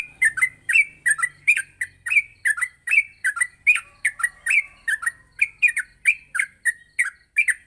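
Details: Yellow-vented bulbul morning song used to train young bulbuls to sing rapidly; steady stream of short chirpy, downslurred notes about three per second, with a faint low hum underneath.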